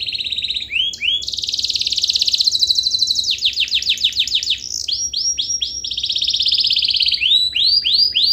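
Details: Lure song of a 'gacor' canary, meant to provoke reluctant canaries to sing: swooping downward notes open into a dense, shimmering high trill, followed by loud repeated slurred sweeps and more rapid rattling phrases.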